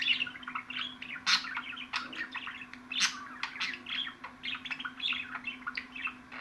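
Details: Continuous budgerigar warbling made of fast twittering notes and scratchy clicks, with a couple of loud sharp chirps, over a low steady hum.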